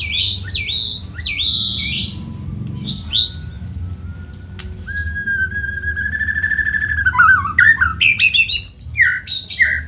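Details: White-rumped shama song used to prompt other shamas to sing: varied bursts of high, clear and buzzy notes, a long steady whistled tone near the middle, then fast rising and falling phrases, over a low background hum.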